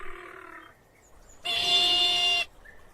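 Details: Crested caracara giving one harsh, grating, buzzy call that lasts about a second and is rich in stacked overtones. It follows a fainter, lower, nasal note at the start.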